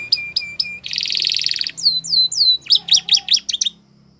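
A Belgian canary sings a quick varied phrase: a few sharp notes, a fast buzzy trill, descending swooped whistles, then a rapid chattering run.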